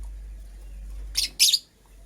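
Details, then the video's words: Two brief, harsh, high chirps from a female purple lovebird making a nest, the second louder and longer, followed by quiet with a low hum. "Purple Lovebird Chirping Sounds"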